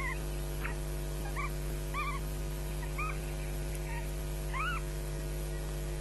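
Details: Squabbling osprey chicks at a Loch Garten nest, morning of 22 May 2012, shrieking for food as an adult watches; a series of short arched squeals, about one a second, over constant hum.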